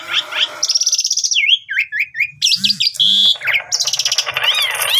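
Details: Asian pied starling singing actively with a full, varied song, used as a lure for other starlings: buzzy trills, a run of wavering whistled slurs, harsh rasps and a faint low hum.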